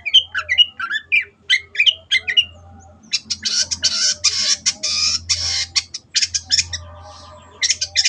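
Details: Long-tailed shrike in lively song: a few clear, varied whistled notes first, then harsh, noisy rasping bursts in rapid sequences separated by short gaps, the pace uneven throughout.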